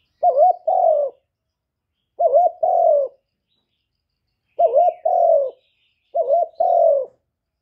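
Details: Spotted dove giving a luring coo to rouse decoy birds, clean live recording: four two-part phrases, each a quick warbled note then a longer mellow falling coo, repeated at roughly two-second intervals.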